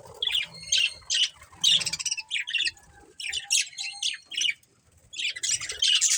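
Budgerigars chatter in a continuous stream of harsh, scratchy chirps and warbles.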